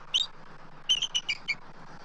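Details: Eagles at a nest in Southwest Florida on 3-12-24; both adults call as an intruding immature eagle circles the nest tree. A single high squeaky note, then after a pause a quick run of four thin, sharp chirps over a steady low hum.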